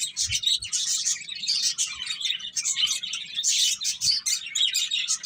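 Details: Finches eating and chirping, a continuous flock chatter of sharp high tweets and short trills, with a couple of soft low taps.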